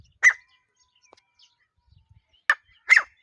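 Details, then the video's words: Desi teetar, a partridge, giving three loud, harsh, clipped call notes, the first at the start, then a pair close together near the end, with near silence and a few faint low thumps between them. "Teetar ki voice | desi teetar sound| Partridge sound"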